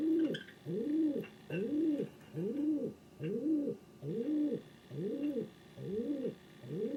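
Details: Male king pigeon kept as a house pet coos steadily indoors: low, arching hooted notes repeated about every 0.8 seconds, nine in a row, in a quiet room.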